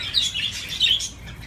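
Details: A budgie playing on its swing gives two quick, high, slightly squeaky chirps in close succession, then falls quiet.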